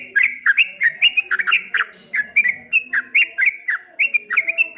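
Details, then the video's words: Loud, dense 'ropel ngombak banyu' singing from a streak-eared bulbul: crowded, wavering whistled notes tumbling one after another, with crisp high ticks mixed in. "suara burung trucuk kebo bunyi ropel ngombak banyu"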